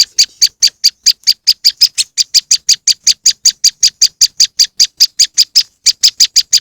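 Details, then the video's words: Moss wren used as a lure: rapid, evenly spaced rasping chips about three per second, continuing without a break across the whole stretch against a silent background. "powerful moss wren bird lure sound"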